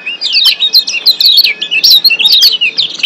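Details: A dense wild Lombok white-eye chorus meant to boost breeding condition and active song. Rapid, unbroken high twittering is made of wavering chirps packed close together.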